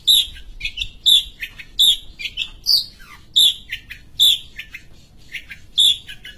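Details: ['Long-tailed shrike from Sumatra, a kept songbird also used as a tutor bird. It sings a varied chattering phrase of loud, squeaky high notes mixed with softer chips, repeated with changing accents.']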